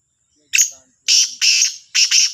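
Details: Black francolin (Kala Teetar) calling in the morning, Sahiwal, 18 September 2022: a short harsh note, then three loud rasping, buzzy notes in quick succession, the last one doubled, with silence between.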